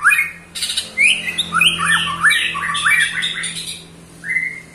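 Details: Ketrekan from a white-rumped shama aged 8 months, meant to rile rival shamas: dense bursts of harsh rattling and upslurred whistles tumble rapidly for about three seconds, then fall quiet before one final rising whistle, with faint background hum.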